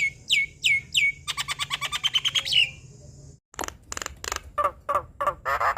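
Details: Black-winged starling song used as a tutor for young birds: three clear whistles falling to a steady pitch, a fast rattling series, then harsh chattering notes.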